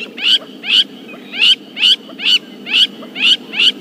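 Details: Crowned lapwing on a chilly June morning in a South African private game reserve scolds with loud, harsh, strident calls, about two a second, probably defending a nearby nest and drawing intruders away; faint low rumble.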